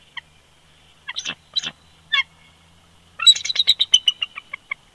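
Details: Pair of bald eagles dueting at their old nest snag at Big Bear Lake, California, on a winter day, 22 February 2020, from a live nest camera: a few scattered squeaky notes, then a rapid chattering series of high piping notes that slows and fades.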